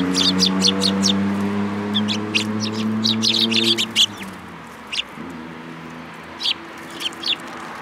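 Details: Sparrows at a Tenmangu shrine, 26 June 2022, hopping onto a hand to be fed: rapid, overlapping high chirps from several birds in dense bursts, thinning to scattered single notes, over a steady low droning hum that fades midway.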